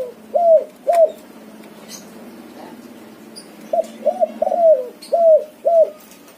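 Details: White backspot spotted dove cooing: two clear hollow notes, a pause with a faint low murmur, then a longer series of five falling coos; a few faint high chirps in the background.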